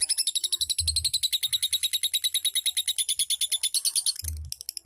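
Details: Lovebird singing in the rapid chattering style known as ngetik ngekek: a fast, even train of sharp high ticking notes, roughly eleven per second, with faint low thumps beneath.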